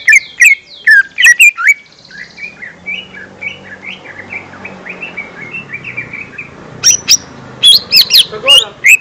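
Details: Lesser green leafbird song used to lure young birds: loud sharp chirps and slurs, a long stretch of soft rapid chattering notes over faint background hum, then more loud ringing high whistles.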